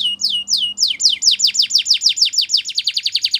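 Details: Belgian canary morning song: slow, looping high whistles accelerate into a rapid, even series of sharp descending chirps that grow faster toward the end.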